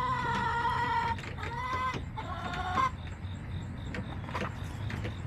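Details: Hens in a backyard flock, recorded September 20, 2024, give three strong, steady nasal calls in the first three seconds, followed by softer scattered clucks and clicks.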